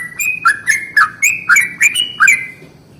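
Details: Morning song of a Yellow-vented bulbul in the long rolling 'ropel panjang' style, aimed at making other bulbuls sing; a chain of seven or eight cheerful, gurgling notes, slightly rising, then falling silent.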